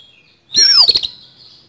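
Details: Single loud, rough burst from an oriental magpie-robin's fighting song, a harsh downward-sweeping whistle mixed with quick clicks, fading into a thin high tone.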